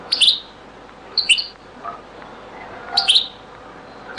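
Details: Old recording of a European goldfinch singing in the Beni Messous 'les avocats' zaboka style: sharp high twittered chirp clusters about every 1.5 seconds, with a few fainter lower notes between them and steady hiss.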